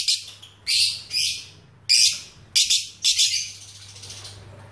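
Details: Lovebird of the fighter contest type, newly acquired, producing shrill buzzy chirp bursts, about five separate outbursts with quiet gaps, the last trailing off softly; faint low hum in the background.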